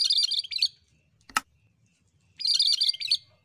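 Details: Actively singing cucak kerinci bulbul: two bursts of fast, jumbled high chatter separated by a silent pause, with a single sharp click between them.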